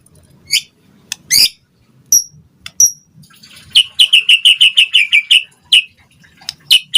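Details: White-rumped shama singing to provoke a response from other birds: a few scattered high chips, then a fast run of short clipped notes repeated about eight times, ending in scattered sharp notes, with faint low rustling.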